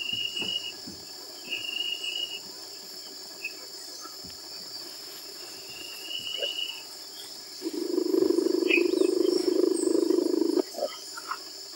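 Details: A Scarlet-banded Barbet, a Peruvian endemic that perches on the same branch for long periods, gives a low, rapid purring trill of about three seconds at Flor de Cafe, San Martin, Peru, over a steady high insect drone and a few thin higher notes.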